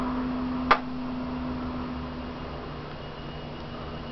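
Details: A single sharp click against a steady low hum in a quiet indoor room. No animal voice is heard.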